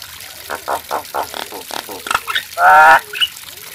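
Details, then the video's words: Nias hill myna giving a run of short, nasal, evenly spaced pulsed notes. A loud, harsh, buzzy squawk with rich overtones and a brief high chirp follow. "TERAPI BURUNG JALAK NIAS"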